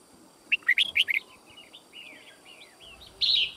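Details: White-cheeked red-whiskered bulbul in fighting song: a quick cluster of sharp, rising whistled chirps, then softer slurred notes and a short buzzy burst at the close.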